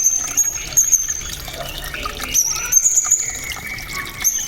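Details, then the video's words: Blue-crowned hanging parrot song in the cililin fill style, used as a master recording for competition songbirds; thin, very high, piercing whistled trills come in bursts, with trickling water-like noise behind. "SRINDIT ISIAN CILILIN‼️ ( the vocal teacher of all competition birds🎤"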